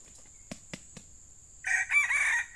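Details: Wild male junglefowl answering a decoy during lure trapping, giving a short, harsh crow of about one second with a rough, noisy texture, preceded by a few sharp clicks.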